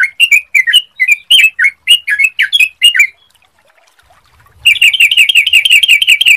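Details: Yellow-vented bulbul, a clear-voiced lure recording meant to make other birds sing quickly: rapid bubbly chattering phrases of short warbled notes for three seconds, a brief pause, then a faster run of repeated rolling notes.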